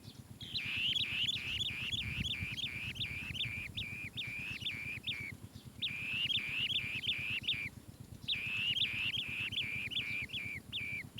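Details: An Asian green bee-eater chick in its nest burrow gives rapid, high, rolling chirps in three bursts of about eight notes each, over a steady low buzzing hum.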